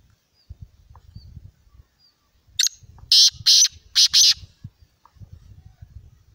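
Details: Kala teetar, the Black francolin, delivering a rasping, scratchy phrase of five loud notes, the final pair closely joined, against a quiet background of faint low knocks and rustles.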